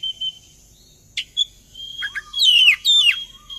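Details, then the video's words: Oriental magpie-robin lure song to draw other birds into singing; a thin whistle, a sharp click, then a burst of buzzy descending slurred notes near the end over a constant high background tone. "Suara pancingan burung Kacer agar ikut narung"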